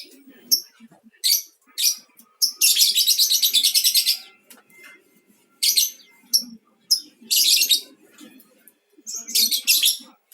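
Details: Mangsi-style lovebird singing, played as a beginner's lure to set off other birds; sharp chirps lead into long, rapidly pulsed buzzy rattles, the bursts returning again and again across the recording.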